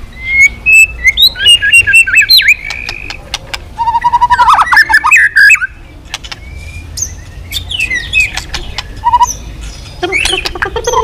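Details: Roused White-rumped shama beating its tail continuously while singing in the swift-style 'kéo dây yến' manner, switching voices: a fast jumble of clear whistles, rich warbles and sharp clicks at varied pitch, with brief quieter gaps between bursts.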